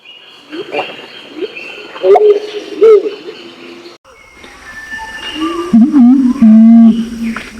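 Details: Male and female imperial pigeon lure sounds from Nabire, Papua: soft scattered notes first, then a loud deep coo that bends up and down before flattening into a sustained low tone.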